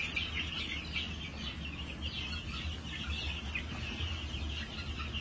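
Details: Farm-kept New Hampshire chickens, 22 March 2021, keep up a busy band of high trilling, chirping calls from several birds, with low rumbling background noise beneath.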